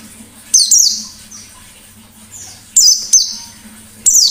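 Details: White-eye, called a lively wild-type bird, uttering high, scratchy notes that drop steeply in pitch, spaced irregularly with quiet gaps between, a faint low hum underneath.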